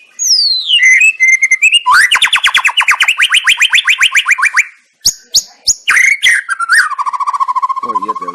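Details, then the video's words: Song of a white-rumped shama used as a provoking bait: a falling whistle, then a fast, loud, even trill of sharp notes for nearly three seconds, a pause, scattered sharp notes and a steady low buzzy trill. "murai lansung moncer nglabrak penuh nyali"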